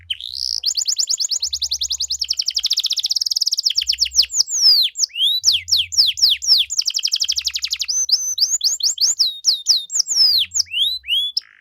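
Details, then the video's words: Canary delivering an energetic song to trigger answers from other canaries, long rapid trills alternating with sweeping downslurred whistles and quick chirps, over a faint intermittent low hum. "KENARI GACOR DOR CENGKOK MEWAH BIKIN KENARI LAIN LANGSUNG RESPON BUNYI GACOR"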